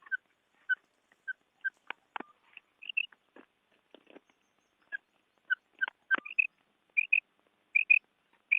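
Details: Female quail calling, used for quail hunting: short single whistled notes alternating with higher paired chirps, repeated irregularly, with scattered clicks and taps.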